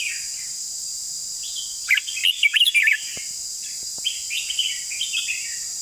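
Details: A Red-whiskered bulbul sings one bright warbled phrase of six or seven quick whistled notes near the middle. Fainter answering chirps follow, all over a continuous shrill insect buzz.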